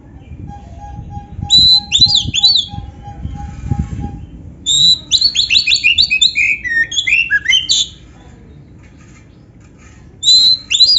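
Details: Oriental magpie-robin with canary phrases, played to raise a kept bird's drive: a soft row of low repeated notes, high chirp bursts, then a long run of fast varied chirps and a final short burst after a pause.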